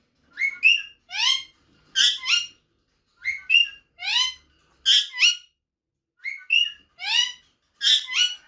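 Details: Female rose-ringed parakeet calling in a sound meant to drive the male to seek her out; paired and tripled raspy, harmonic squawks with rising whistled notes, repeated in clusters roughly every second, clean and without other noises.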